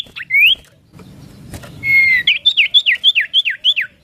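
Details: Common iora chatter-style song: a few slurred whistles and a long level whistle, then a steady series of about ten sharp downslurred whistled notes, roughly three per second, with faint low background rumble.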